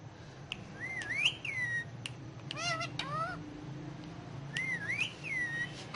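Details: Indoor ringneck parakeet speaking Urdu/Hindi words on pillows, fairly quiet: a wavering whistled phrase, a pair of quick harmonic syllables, then the same whistled phrase repeated near the end.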